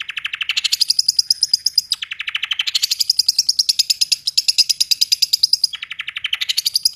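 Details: Energetic 'gacor' song of a long-tailed shrike, full material at tight speed: unbroken rolling strings of rapid sharp notes, several shifts in pitch and tone, each roll running one to two seconds, very clean with no background sounds.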